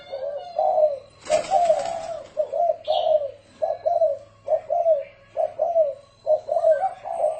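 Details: Spotted dove, 'thổ rền' cooing meant for decoying doves: low mellow paired coos in a steady series, a short burst of rustling noise early on, and a brief high chirp from another bird.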